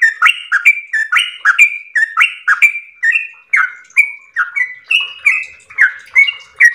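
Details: Yellow-vented bulbul pouring out a long 'ropel' song, its gurgling chirps and short whistles alternating slightly higher and lower, about two to three notes each second, unbroken and energetic.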